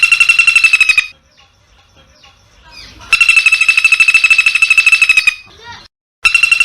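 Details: Long-tailed shrike in harsh, rapid 'tembak' style, recorded 16 May 2022 on a Samsung M30 in a home yard and rice field; fast buzzy repeated notes roughly three per second, in bursts separated by a quiet gap with faint chatter.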